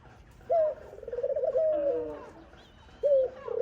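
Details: Dove chick fed by its mother makes sharp rising-then-flat whistled squeals with trilled, fluttering stretches, repeated after short pauses.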